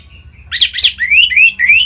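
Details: Brief phrase from a captive orange-headed thrush singing to spur other birds: two loud buzzy chirps, then three clear whistled notes sweeping upward in quick succession.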